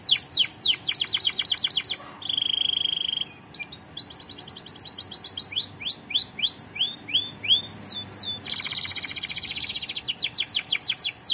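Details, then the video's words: Canary song for song training: fast repeated tours of high sweeping notes, a buzzy steady trill, rising whistled slurs and rapid rattling syllables, changing every second or two. "Most Powerful Canary Bird Song Singing Training"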